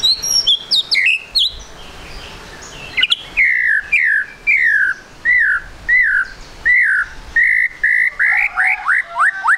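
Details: Murai batu, or white-rumped shama, singing a trotol lure song meant to make other birds sing quickly: high scratchy notes at first, then a steady series of loud slurred whistles repeated about every half second.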